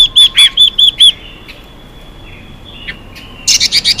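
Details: Female Chinese hwamei calling to rouse males: five ringing, upslurred whistles at a steady pace, a quiet gap with faint notes, then a harsher, buzzy series of five hissing bursts.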